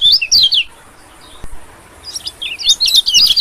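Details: White-eye lure sound for attracting small birds, especially white-eyes: rapid high, thin zigzag chirps in a burst, a quiet pause, then a denser, louder run of twittering notes.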